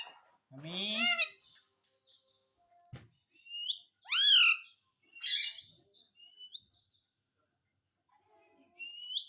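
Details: Pet parrot producing a long descending-then-rising throaty call, a bright curved whistle-like note, a raspy burst and several thin high chirps, with pauses between.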